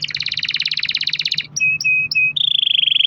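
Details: Canary in full song, played as a lure to get other canaries singing: a rapid pulsed trill, three short flat whistles, then a smooth high rolling trill.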